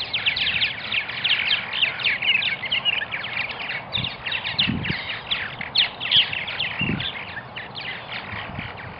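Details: Purple martin colony in Melbourne, Florida, busy with steady, crowded gurgling and chirping from many birds, with a few dull low thumps in the background.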